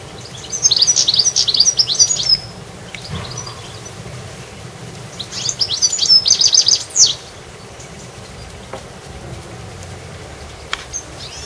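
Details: Goldfinches in a garden: two bursts of high, tinkling, liquid twitters, each about two seconds long, over a faint low background rumble.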